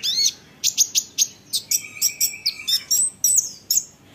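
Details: Olive-backed sunbird singing to get other sunbirds to answer: quick, very high, downslurred chips in an irregular series, with a brief steady thin tone in the middle.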